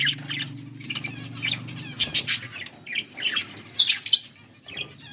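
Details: A budgerigar pair gives separate bright chirps and short warbled phrases, growing louder in the second half, over a faint low hum.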